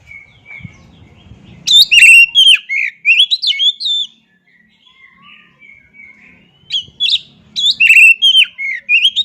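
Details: Kacer singing two energetic bursts of varied whistles and sharp chirps separated by a softer stretch of thin sustained notes, with faint low noise at the start.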